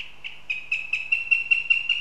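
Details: Northern goshawk in Riga, Latvia, heard on a live stream: a rapid series of about nine sharp, nasal kek notes, roughly five per second, starting softly and growing louder and steadier, over a quiet background.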